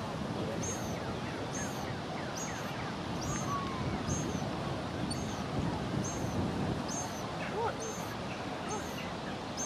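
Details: Two young Lesser Black-backed Gulls begging their parents for food give thin, high piping calls about twice a second, half-buried under steady wind and surf.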